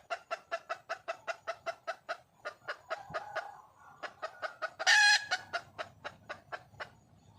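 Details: Calling for a male, a wild junglefowl hen clucks rapidly and regularly, pauses briefly, resumes, then gives one sharp loud rasping squawk before a final short run of clucks.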